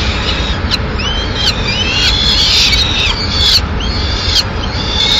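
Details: A female peregrine falcon carries a pigeon to the nest in Madrid, 6 May 2016. Thin, high slurred and rising whistles are followed by a rasping burst, heard over a constant low background roar.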